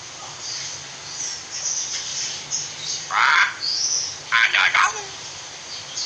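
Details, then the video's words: A talking common hill myna gives two harsh, breathy, speech-like bursts about a second apart with a brief high whistle between, over steady hiss; a training recording of a speaking myna. "Burung Beo Bicara"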